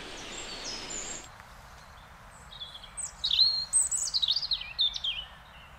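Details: European robin from the Netherlands: after a brief hiss and faint chirps, a sweet, high, fluid warble of quickly changing notes that swoop up and down for about two and a half seconds.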